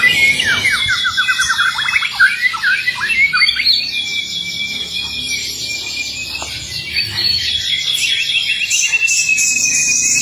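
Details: White-rumped shama male courting a female: a fast run of descending whistled notes opens into a dense, continuous stream of chattering, squeaky and buzzy phrases over steady background hiss.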